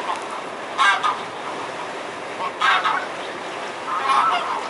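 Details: Mute swan giving three short, harsh, honking calls spaced about one and a half to two seconds apart, over steady background rushing noise.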